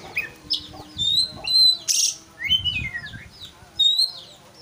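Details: White-rumped shama singing to rile a rival: clear whistled notes and downslurred phrases broken by one sharp harsh burst, with short pauses between phrases and faint low rustling in the background.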